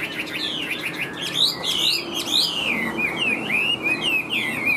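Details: Yellow-billed, yellow-legged Chinese hwamei kept caged, flicking its tail while pouring out loud, varied whistles, swooping up and down in quick succession.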